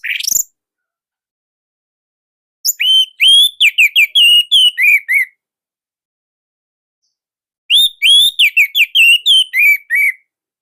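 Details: Orange-headed thrush from Indonesia in loud, compact song. After a quick rising sweep, two separate bursts of clear, fast whistled notes dip and rise in turn, with several seconds of silence between them.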